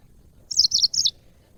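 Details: Yellow-fronted canary kept as a cage bird, heard in a recording meant to teach other birds: three short bursts of high, bright twittering notes in quick succession, over a faint low background hum.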